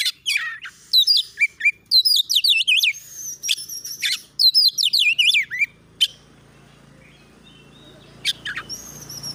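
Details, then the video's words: Oriental magpie-robin training recording of insistent, fast 'nembak' bursts: dense, loud, varied whistles and zigzag notes for about six seconds, a pause with faint low hum, then two short sharp chirps. "masteran Kacer NGOTOT NEMBAK MATERI PANCING CEPAT KACER IKUT NGOBRA NARUNG"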